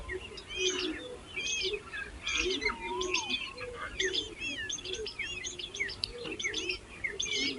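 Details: Hungry baby birds being fed by their mother give busy, high, scratchy chirps in quick irregular bursts, about seventy per minute. A single lower whistled slur is heard near the middle.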